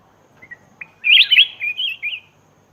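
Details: Black-crested bulbul sound used as a lure for wild birds: a few faint short notes, then a loud burst of bubbly, twisting whistled phrases, about four in quick succession, on a quiet background.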